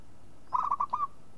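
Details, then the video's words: Local zebra dove giving a single short phrase of about five quick rolling coo notes, the final one slightly longer, against low steady background noise. "SUARA MEMANGG PERKUTUT LOKAL"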